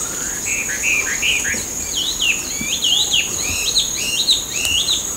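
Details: Feral Chinese Hwamei singing in a park; a cage bird imported from China that escaped or was released and went wild. Rich, loud whistled phrases, rising and falling, varied and repeated rapidly, over a steady high insect-like hiss.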